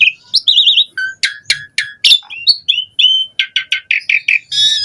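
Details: Asian pied starling singing a rich varied song to coax other starlings into song: wavering warbled whistles, crisp clicks, slurred whistles and a run of buzzy repeated notes ending in a harsh burst.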